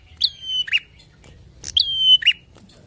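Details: A bar-winged prinia sings vigorously to provoke rivals, giving two phrases of a high descending whistle held flat, then a rough buzzy chip, with quiet pauses between.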